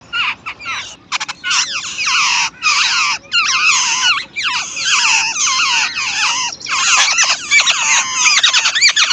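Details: Chicks being fed by their mother give loud, squeaky, harmonic begging calls in overlapping bursts, notes sweeping down and wavering, with short gaps between volleys, about ninety bursts a minute.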